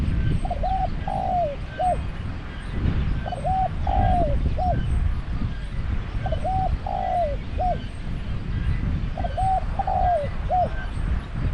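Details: Decoy-trapping session with a caged spotted dove: four evenly spaced coo phrases about every two and a half seconds, each soft, hollow and three-part with a falling middle note, over steady low noise.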